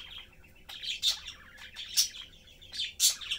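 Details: Three caged budgerigars, a mother, father and chick, chatting while feeding; rapid scratchy warble punctuated by piercing chirps about once a second.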